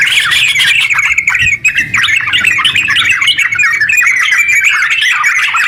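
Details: Continuous ngeropel song of sooty-headed bulbul, meant to stimulate other bulbuls into singing: busy, tumbling chatter of short bright notes running unbroken, with a brief dip in loudness early on.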